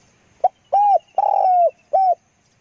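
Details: Spotted dove coo phrase linked to decoy trapping: a brief soft opening note, then a hollow coo, a longer rough burred coo and a closing clear coo, about two seconds in all, with silence around.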